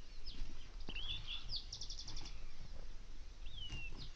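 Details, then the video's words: Say's phoebe on a desert morning, giving thin whistled notes that slide downward, one early and one near the end, with a faint buzzy trill from a background bird, possibly a Bewick's wren or spotted towhee, and low rumbling noise throughout. "Deserts temperate morning songbird Says Phoebe"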